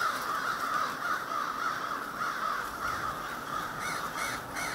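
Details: Large flock of crows gathered in a backyard park, a constant overlapping din of hoarse cawing with no pause, individual caws jumbled together several per second.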